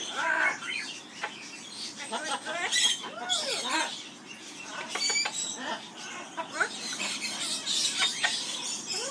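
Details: Amazon parrot kept in an aviary sings the skimmeradinkadinkadink song, mixing short arched whistles and rapid clicky chatter with raspy bursts over a steady background hiss.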